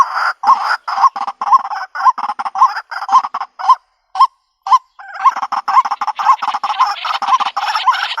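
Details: White-breasted waterhen, used as a lure for a bird trap in the country: quick runs of hoarse, hooked croaks, pausing briefly midway before resuming in a denser, rasping chorus.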